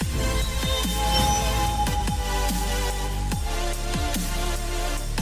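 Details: Only loud electronic dance music with heavy bass drops and sustained synth tones is heard, with no animal voice.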